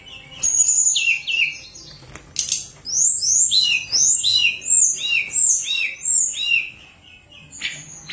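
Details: Tledekan gunung in full flute-like song, used as a lure for birds that sing little: a string of about ten clear, high, downslurred whistles in a steady rhythm after a few opening chirps.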